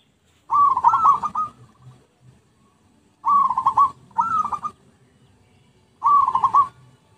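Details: Zebra dove cooing for luring: four soft, trilled phrases of quick pulsing notes, two in close succession, others spaced a few seconds apart, with faint low taps after the first.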